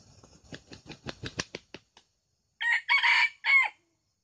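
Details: Red junglefowl decoy crowing in Kuansing, used to lure wild junglefowl during a trapping session in which two birds were caught; a run of quick dry clicks fades out, then a loud, harsh three-part crow, the middle phrase longest.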